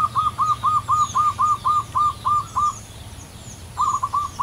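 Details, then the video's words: Wild local zebra dove gives a quick, even run of about ten soft mid-pitched coos, roughly four a second, then after a pause starts again over a low hum and faint distant birds. "burung perkutut asli lokal alam liar gacor suara panjang kristal"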